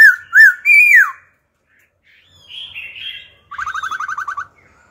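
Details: Old wild-caught laughingthrush singing wild-style song, switching phrases continuously, used to stimulate and train young birds: loud whistled slurred notes, a pause, softer warbled phrases, then a fast buzzy rattle of about ten pulses.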